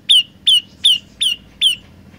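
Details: Olive-backed tailorbird in full song, a song said to have three variations: five strong, clipped notes that fall steeply then flatten briefly, repeated at a brisk, even pace of roughly one every 0.4 seconds, with a faint low background murmur.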